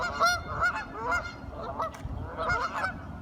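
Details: Curious ducks talking, giving nasal, harmonic quacking calls in short bursts of two or three, with a low background rumble.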